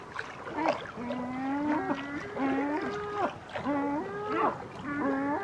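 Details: Great black-backed gull giving deep, hoarse, drawn-out calls in a steady series. Each call runs about a second and bends slightly at the end, and there are brief higher yelps between them.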